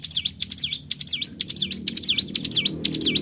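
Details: Bar-winged prinia (cigun) 'tarikan bren' lure song: loud, fast repeated V-shaped whistles plunging and rising with crisp ticks between them, over faint low background noise.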